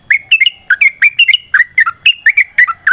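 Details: Lure song of a yellow-vented bulbul: quick bubbly whistled phrases, about five notes a second, liquid and warbling with slides up and down, clean and loud against a quiet background.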